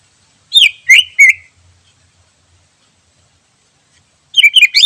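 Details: Wild greater green leafbird singing, recorded for use as a lure: three bright slurred whistles in quick succession, a pause of near silence, then a fast burst of twittering whistled notes at the end.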